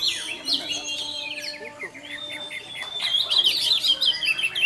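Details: Orange-headed thrush singing as a lure for other thrushes. After quieter scattered notes and a long level whistle, a rich rapid warble of jumbled high chirps builds in the second half.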